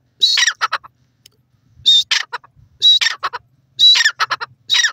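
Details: Grey francolin, known locally as dakhni teetar, calling loudly: short harsh squawking phrases with a whistled element and a few trailing rattled notes, repeated about once a second with brief pauses.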